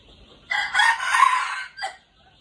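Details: Red junglefowl rooster kept as a decoy bird gives one full, harsh crow. A short first note leads into a long, strained middle part, then a brief clipped final note, with quiet around it.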